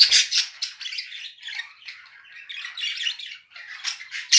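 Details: Pet budgerigars, a mated pair, trading short harsh squawks and chirpy twitters in quick irregular bursts, with a soft low thump at the start.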